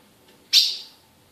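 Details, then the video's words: Single abrupt, high chip from a captive female ultramarine grosbeak kept by a Brazilian breeder, starting sharply and trailing off briefly, with a faint softer note just before it in a quiet setting. "Fêmea de azulão piando"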